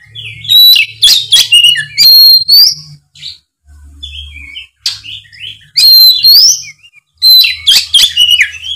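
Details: Oriental magpie-robin singing with full, clear voice as bait for a spotted young bird in molt; clusters of shrill upswept whistles and harsh chips, repeated in three bursts with quiet gaps and a low hum.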